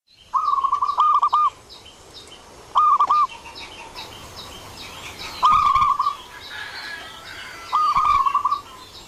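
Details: Zebra dove lure call for attracting doves to answer: four rolling coo phrases roughly every two and a half seconds over a hissing outdoor background with faint high chirping from other birds.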